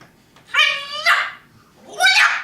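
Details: Parrot talking: two drawn-out, voice-like harmonic utterances, the first wavering and nasal, the second shorter and rising, separated by a short pause.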